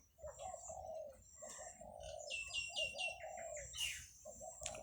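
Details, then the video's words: Zebra doves cooing in the early morning on 17 July 2023 while buffalo graze in the countryside: soft repeated coo notes in short bursts, with higher chirping birds and a sharp rustle near the end. "ฟังเสียงนกเขานะครับ"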